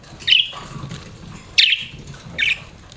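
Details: Budgie chirps: three short, sharp, scratchy notes spaced about a second apart over a quiet indoor hum.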